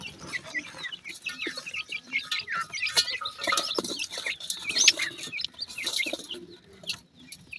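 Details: Pheasant chicks feeding on feed: a busy stream of rapid high cheeps and twitters from several birds, mixed with dense pecking taps and scratching throughout.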